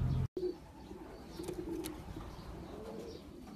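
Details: Several low, throaty coos from champion racing pigeons, wavering in pitch; a loud burst and short cut at the start, then quieter coos over faint background rumble.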